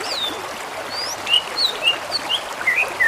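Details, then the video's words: Cage-bird master song used to train a garuda bird: a series of sharp, clear whistled notes slurring up and down, roughly four to five per second, over a steady background hiss like running water. "suara masteran buat trocok garuda"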